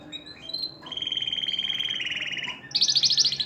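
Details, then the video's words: Canary song meant to stimulate females to mate, with a quiet start, then a steady rapid trill that steps lower before a bright, high, fast-pulsed roll at the end. "تغريد الكناري لتحفيز الاناث على التزاوج"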